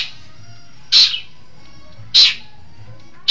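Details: Long-tailed shrike from East Java kept as a singing bird: two loud rasping high calls about a second apart, separated by quiet, over a faint low hum.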